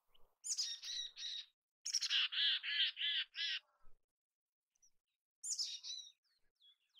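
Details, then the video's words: A mountain chickadee in natural habitat gives thin, high introductory notes, then a run of about six hoarse, buzzy 'dee' notes, and a second high burst after a pause. "Mountain Chickadee Sounds!"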